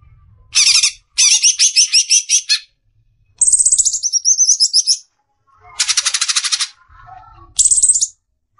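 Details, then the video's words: Greater green leafbird besetan song, clear recording for training caged birds: bursts of high, rapid chirpy trills and buzzy rattles, separated by short silences, with one wavering whistled phrase. "Besetan suara burung CUCAK IJO"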